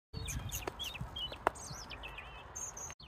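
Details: A European robin, recorded on a phone, sings thin, high, liquid warbles and squeaky twisting phrases in quick succession, over low rumbling background noise and a few handling knocks.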